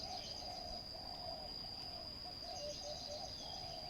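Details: Spotted dove cooing at a ground decoy trap. Soft, low, burry coos run in nearly continuous phrases with brief gaps, under a constant shrill insect drone and a few faint high chirps.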